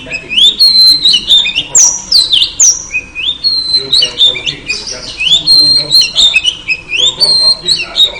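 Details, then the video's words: Lure call of a female oriental magpie-robin aimed at a male: dense, continuous whistling with quick slurred notes, steady high whistles and a few rasping chips, barely pausing. "KICAU KACER BETINA AMPUH PANCING KACER JANTAN LANGSUNG GACOR"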